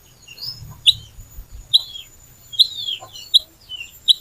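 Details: Little pied flycatcher song used as a lure to get other birds singing, delivered in a lively, sharp style: short piercing high notes and brief downslurred whistles, repeated roughly every three-quarters of a second, with a faint steady high tone behind.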